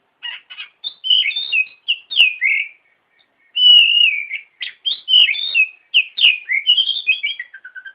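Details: Oriental magpie-robin song for training other birds: an energetic stream of whistles, slurred glides and chattering notes, including one long even whistle, ending with soft descending notes.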